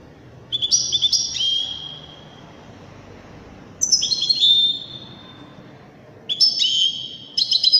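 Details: European goldfinch described as Widani, singing with elegant delivery in three high, sparkling twittered phrases separated by pauses, each a quick rush of tinkling notes, over a low steady background murmur.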